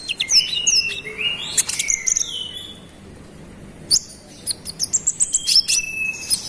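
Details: Olive-backed sunbird (konin) delivering a persistent song to agitate other birds: bright downward-sliding whistles and sharp chirps, a brief quiet gap, then a rising series of rapid high ticking notes.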